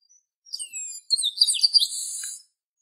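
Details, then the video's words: A single chestnut-capped blackbird phrase: several thin descending whistles followed by a warbled, buzzy section held for over a second in an otherwise silent setting. "CANTO DO GARIBALDI"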